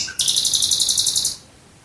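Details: Nightingale song recorded near Dresden: one short soft note, then a fast, high, buzzing trill held steadily for over a second before stopping abruptly into near silence.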